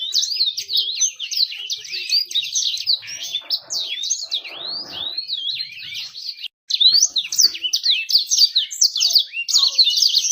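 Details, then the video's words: Lure recording aimed at attracting females and sparking fast singing: continuous high warbling of repeated swooping notes, a faint rushing noise in the middle, and a brief dropout before the rapid twitter returns. "PANCINGAN BURUNG CEPAT GACOR DAN MENARIK BETINA"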